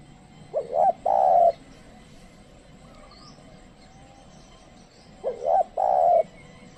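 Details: Spotted dove used as a trained decoy to attract wild doves, which do not approach. Two matching phrases about five seconds apart, each a quick rising double note followed by a long low croon.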